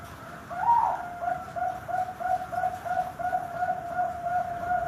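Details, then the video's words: Zebra dove, Bangkok or local type, singing as a trapping lure: a rising opening note followed by a regular series of soft, short coos against a steady hiss of background noise. "Pancingan Perkutut FULL,perkutut Bangkok,Pikat perkutut,perkutut lokal gacor"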